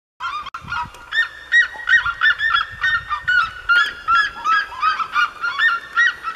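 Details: Red-legged seriemas singing in the Serra da Mantiqueira: a loud, steady series of yelping, honk-like notes, about three per second, with rich overtones and some notes bending downward, over faint low thumps.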